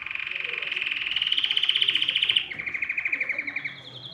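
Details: Excited canary trilling to prompt other birds to sing: a very fast, even pulsed trill rising gently in pitch, then an abrupt switch to a slightly lower, slower trill.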